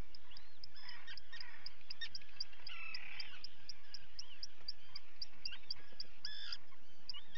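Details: Feeding time for common guillemot chicks, live camera, 28 June 2020. Evenly spaced piercing peeps continue throughout, mixed with bursts of rasping adult calls from the crowded ledge.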